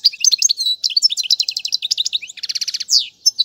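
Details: European goldfinch song for teaching young birds: a continuous run of tinkling notes ending in a buzzy descending trill and sharp chirps.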